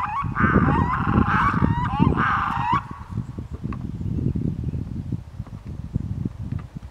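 Red-throated loons give harsh, goose-like wavering calls in overlapping bursts for about three seconds, followed by a low rumble of wind or water.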